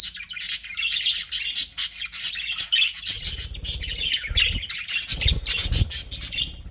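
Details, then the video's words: Budgerigars kept in an aviary chatter almost without pause: rapid, raspy, high warbling and chirps layered together, with low bumping noises in the second half. "HAPPY BUDGIES SOUNDS"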